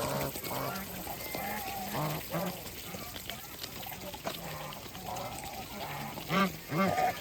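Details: Farm geese feeding, giving a scattered string of low nasal honks amid rustling and noisy background, with two louder, clearer honks close together near the end.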